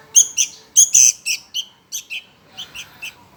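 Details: Sooty-headed Bulbul chick begging from hunger, giving loud, sharp, high chirps in quick succession, about two per second, that fade to softer notes near the end.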